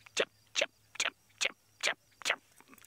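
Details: At Djuma Game Reserve, South Africa, on April 7, 2017, a Red-backed Shrike gives six harsh, scratchy chack notes, evenly spaced about twice a second, alarming at a predator hunting in reeds. A faint low hum sits underneath.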